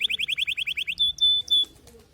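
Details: Canary song phrase: about nine quick chirping notes in an even series, followed by three long, steady high whistles.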